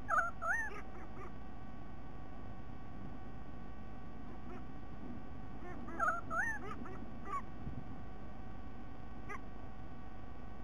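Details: White-bellied sea eagle recorded on 13 October 2020, giving short goose-like honking notes in two brief bursts about six seconds apart, faint over a steady background hiss and hum.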